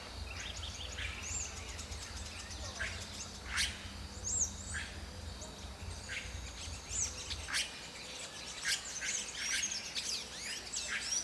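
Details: Red-rumped caciques (Cacicus haemorrhous) in the Atlantic Forest at Lídice give a busy run of sharp chirps, clicks and high whistled notes, several birds calling at once, over a low steady background rumble.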